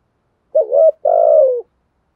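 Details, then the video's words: Spotted dove calling in the thúc and gù styles: two mellow, low coos, the first short and wavering, the second longer and steady, slightly falling at the end, with a brief gap between. "chim cu gáy bài bản thúc với gù"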